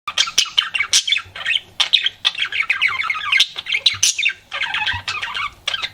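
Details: Pet budgerigar flirting, giving rapid chattering chirps and squawky warbles packed densely together, with bright scratchy notes and brief pauses throughout.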